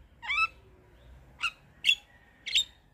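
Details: Javan myna singing: four short harsh notes, well spaced over three seconds, each a brief buzzy squawk with some whistled tone, over a quiet background.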